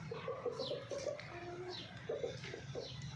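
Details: Domestic hens filmed during mating give soft, short, mid-pitched clucks in quick uneven runs, with steady low background noise.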